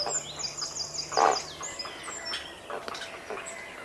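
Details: Well-grown grey heron chicks in the nest, with adults, give harsh, rasping feeding clatters close up, loudest in one burst near the middle, while a wren and other thin high bird song twitter in the background.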